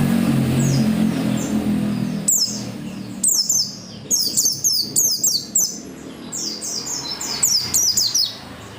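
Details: Oriental white-eye in energetic song, used to get other white-eyes singing: low background rumble early, then shrill, rapid cascades of falling high notes in tight groups, nearly continuous to the end.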